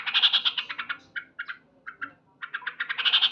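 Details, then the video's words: Male Sooty-headed bulbul singing loudly in the morning: a dense, bright trilling chatter, a few spaced single chirps, then the rapid chatter again. "Terapi Burung Trucuk Gacor"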